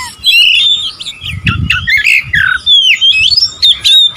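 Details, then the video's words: Oriental magpie-robin singing to provoke rivals: fast sequence of harsh, squawky whistled notes sliding up and down, with scratchy bursts between and some faint low knocking sounds. "memancing emosi Kacer lawan"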